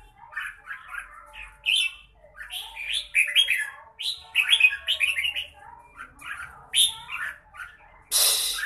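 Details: Red-whiskered bulbul (chào mào) in fine form, singing in the 'mãng nhãn' style: quick bursts of warbled, slurred notes rising and falling, phrases broken by short pauses, ending with a sharp noisy rustle.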